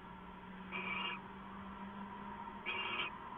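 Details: Owl at night, just before midnight on 2 September 2014: two breathy, noisy hisses about two seconds apart, each under half a second long, over low steady hum.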